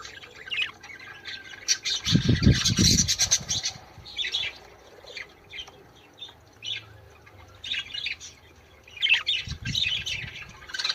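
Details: Budgerigar song for stimulating breeding: repeated bursts of raspy chatter and chirps, loud low fluttering or wing noise at two and ten seconds, quieter pauses between.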